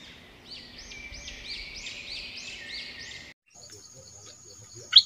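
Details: Orange-headed thrush song used to lure wild birds and teach young birds: a run of soft, arched whistled notes repeated several times in a hissy recording, then a break and a sharp high chirp at the close.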